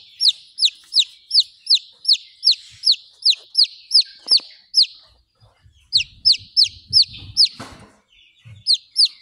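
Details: Buff Orpington chick, hatched April 17, 2023, recorded April 28, 2023, giving a steady run of loud, sharply downslurred peeps, two to three per second, with a short break near the middle and faint low rustling.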